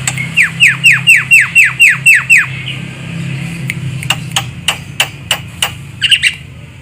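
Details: Javan myna call for luring birds in trapping: a regular series of about ten harsh, falling notes, followed by scattered sharp clicks and a short squeak.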